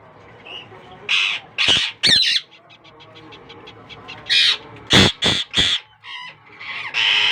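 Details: Newly hatched Indian ringneck parakeet chicks of a young pair's first brood making grating squawks in irregular bursts, with a quick run of faint ticking notes in the middle and a steady hum behind.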